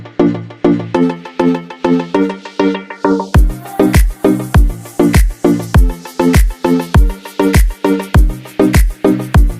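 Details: Steady, dance-like music with a heavy repeating beat fills the whole recording, and no animal sound can be picked out.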